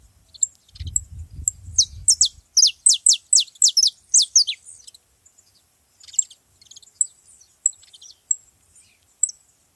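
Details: Wild saffron finches in a flock, a fast run of bright downward-slurred chirps in the middle, then scattered thin high tweets; brief low rumble at the start.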